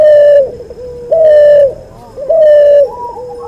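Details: Three strong, sustained coos from a cuhu dove crossbred from white albino puter and puter pelung. Each steady tone ends in a falling, softer murmur, and the gaps are filled by quieter low coos.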